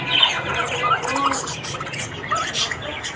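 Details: Australian budgerigars in the morning giving a steady stream of warbled chirps and whistled squeaks, with a brief squawky burst late on.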